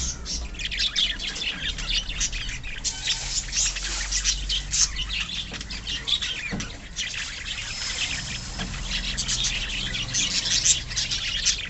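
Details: Colony of pet budgerigars chattering all at once: a dense, continuous wash of high chirps and scratchy twitters with no pauses, plus occasional soft wing flutters and low background hum.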